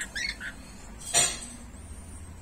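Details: Rainbow lorikeets squabble over grapes with a brief cluster of rasping, high squawks at the start, followed by a single sharp knock.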